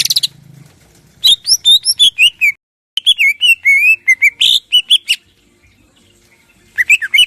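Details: Morning song of a crest-raised greater green leafbird used to provoke rivals into singing: rapid whistled trills and slurs, a short break, more fluid chattering with a harsh burst, then silence before a final brief outburst.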